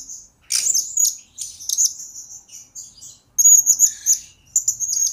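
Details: Blue-crowned hanging parrot in a lure and master recording for training birds, giving a near-continuous run of shrill, high-pitched chirps and short squeaky trills in quick phrases, with a short pause before a louder final burst.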